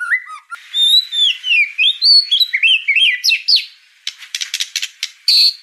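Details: Spotted-variety white-rumped shama, murai batu trotol, singing a varied rich song: clear whistled slurred phrases rising and falling, then a rapid sequence of sharp clicking, rattling notes ending in a high whistle.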